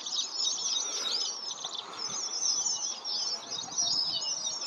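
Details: Many red avadavats gathered in a flock, producing a steady, high-pitched chatter of overlapping thin chirps and tiny whistled slurs, unbroken throughout, with quiet ambient noise underneath.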